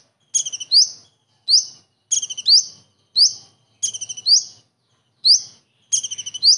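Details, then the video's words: Common iora (konin) singing a kingfisher imitation, used as a tutor recording for other birds: repeated high phrases of a quick stuttering trill followed by a rising sharp whistle, repeated every second or so with brief gaps. "KONIN ISTIMEWA ISIAN TENGKEK UDANG"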